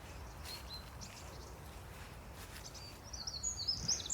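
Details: Long-tailed tits up ahead at Low Locks, Deeping St James, on a sunny late-autumn day: thin, very high, rapid calls, faint at first, then a cluster of sharper notes near the end, over low outdoor noise.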